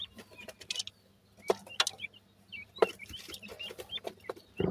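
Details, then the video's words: Grey francolin chicks giving thin, high peeping notes, short upslurred and hooked whistles scattered irregularly among loud clicks and scratchy handling noises. "grey francolin bird chicks ke natural voice"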